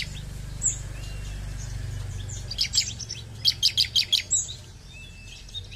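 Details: Bar-winged prinia (ciblek) in lively song: scattered thin high notes, then a quick run of five or six sharp chirps near the middle, over steady low background hum.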